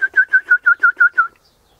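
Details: Morning piping from an Eastern rosella up in a hedge, mate close by in a pecan tree: a rapid run of eight ringing whistled notes, evenly spaced about six per second, then silence.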